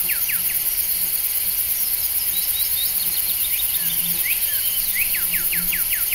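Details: Wild common starling by a roadside on Vancouver Island, giving quick, repeated down-slurred whistles mixed with high squeaky chatter, several notes a second, over a steady high insect hiss.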